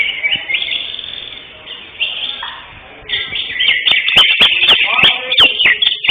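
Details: Caged greater green leafbird, first-placed in a singing competition on 11 October 2025, with softer warbling at first, then a burst of loud high chattering whistles and crisp clicks.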